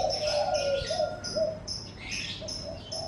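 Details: Birds calling in the morning in front of a house: a thin, sustained high whistle and quick chirps over a mellow, low cooing phrase that rises and falls, then short soft hoots.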